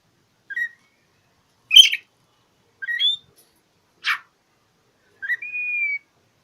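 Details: Oriental magpie-robin seeking an opponent, song meant to coax quiet magpie-robins: short chirps and harsh rasps separated by pauses, ending on a clear, level whistled note.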